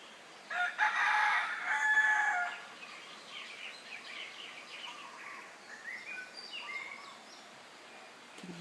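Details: In a Wainiha yard in 2013, on a morning beside a flowing brook, a rooster gives one loud, hoarse crow lasting about a second and a half, followed by small birds chirping and twittering.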